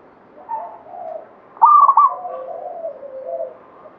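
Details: Zebra dove of local Banyumili katuranggan stock, singing strongly: quiet low coos lead into a loud stuttering burst of rolling notes, then a long soft purring trail.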